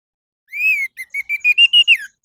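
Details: Orange-headed thrush song as a morning lure for caged birds: a long arched whistle followed by a series of short notes climbing steadily in pitch, ending in a falling slur.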